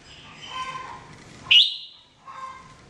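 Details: Red-whiskered bulbul, a jambul bird kept for song training, giving a short loud whistled phrase sweeping up then levelling, with fainter warbling notes before and after amid low background hum.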